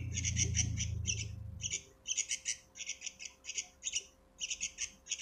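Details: Sooty-headed bulbul chick calling with strings of grating, raspy squawks in irregular clusters; a low rumbling noise fades out after the first two seconds.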